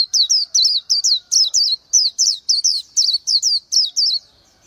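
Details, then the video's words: Oriental white-eye, a small bird about 11 cm, singing a rapid run of high, thin, twisting whistled notes, each dipping and rising, repeated about three times per second, clean and clear with no other sounds. "Chim hót hay Vành Khuyên họng vàng đông dương | นกแว่นตาขาวสีทอง| Oriental White-eye"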